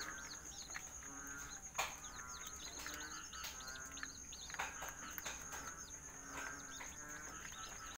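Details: At night in a cage, serama, rosecomb and Siamese chicks keep up a dense chorus of overlapping high, falling peeps, with occasional soft knocks and a persistent high electrical-sounding tone underneath.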